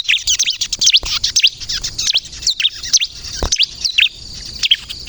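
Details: Bar-winged prinia of the crystal type in full song, used to lure prinias and provoke them to answer: rapid, high, sharply swooping chirps and twittering notes tumble almost without pause, with faint low thuds behind.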